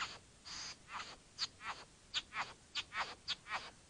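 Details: Bowerbird calling with harsh, rasping bursts, each under half a second, repeated irregularly about twice a second against a steady background hiss.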